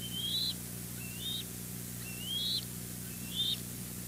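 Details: Bald eagles at the West End nest on 08-04-23, adult male delivering fish and kelp while juveniles chase him; four faint, high, upslurred whistles spaced about a second apart, against steady background hiss and low hum.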